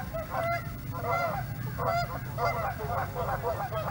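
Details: Canada geese at Hawreluk Park Lake, seen up close, give a busy run of overlapping nasal honks, about eighty a minute and irregular, with several birds calling together over a constant low rumble.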